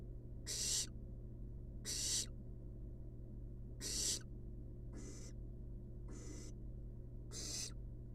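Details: Napping barn owl nestlings in a wild nest box give six harsh, airy hisses over eight seconds, some louder and some softer, at irregular gaps, above a steady low hum.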